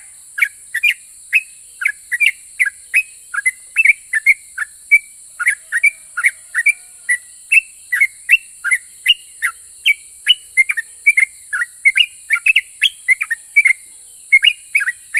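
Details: Long ropel song from a sooty-headed bulbul, said to set other bulbuls answering: an unbroken fifteen-second chain of quick bright whistles, each rising or falling, about three per second, with continuous high hiss underneath.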